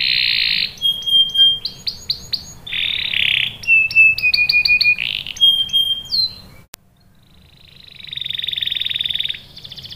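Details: Canary song played as a lure for other canaries to join in rolling: loud buzzy bursts, clipped chirps and level whistled trills in shifting phrases, then a click, a short pause and a soft rising buzzy trill.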